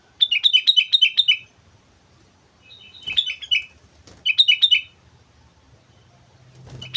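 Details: Actively singing sooty-headed bulbul at Mount Slamet, opening with a long run of rapid bubbling notes, then two shorter liquid phrases, with a couple of soft knocks.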